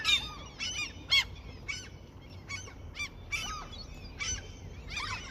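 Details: Seagulls around a fishing spot being fed as a peace offering; scattered short, strident cries from several gulls, a few near and loud, others fainter in the background.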